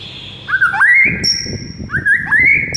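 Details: Morning song of a white-rumped shama: two rising, wavering whistled phrases with bright high overtones, over low background rustle.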